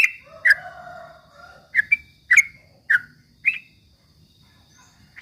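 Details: Yellow-vented bulbul singing ropel-style as a rival lure: a handful of separate sharp chirps about half a second apart, with a faint low-pitched whistle early on and quiet gaps.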